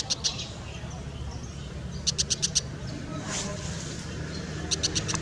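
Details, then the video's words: Brown shrike gives harsh, scratchy chak notes in rapid bursts of about five, repeated every couple of seconds over a steady low rumble. "紅尾伯勞叫聲(The sound of Brown Shrike )"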